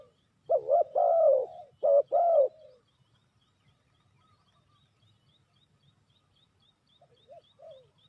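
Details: Spotted dove kept as a trapping lure, delivering one loud phrase of a doubled coo and a drawn-out descending coo, then near silence with faint soft coos near the end.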